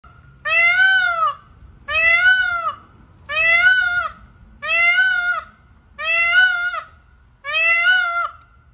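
A peacock gives six loud, nasal, wailing calls, each under a second and spaced about one and a half seconds apart, over faint low rumble.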